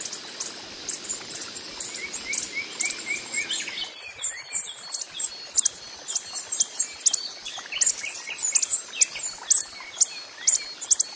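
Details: Coppery-headed emerald hummingbird (Microchera cupreiceps) in the wild giving sharp, very high ticking chips in irregular bursts, with a short run of softer repeated chirps early on and a faint insect hiss.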